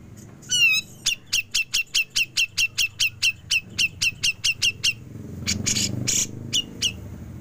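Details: Grey-cheeked bulbul in a 'besetan' performance continuing into 'ngepik', used as training material for songbirds: one rising whistle, then about eighteen sharp, clipped high notes repeated roughly four per second, followed by a few scattered notes over a low rumble.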